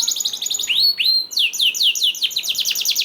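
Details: Canary song played to prompt other canaries to join in: a quick trill, two slow rising whistles, then a rapid series of sweeping chirps repeated evenly.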